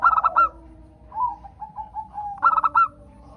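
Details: Zebra dove of a local strain singing to encourage other doves: clear, punchy staccato notes, then a soft, rolling, gurgling coo trailing off, before the clipped notes begin again.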